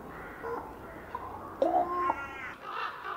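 A common raven gives three harsh, guttural croaks in about three seconds, the middle one longest and loudest, over a quiet background.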